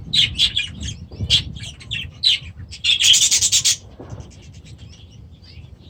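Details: Young budgerigars hatched last year, newly released into their new aviary at the start of the season, giving short bursts of high, scratchy chirps and warbles, then a denser chattering run, over low rubbing and scraping noise.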